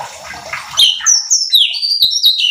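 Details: Cucak cungkok bulbul singing a training lure meant to stir other birds: after a short rustling noise, a quick run of clear, high, slurred whistles, each dropping in pitch.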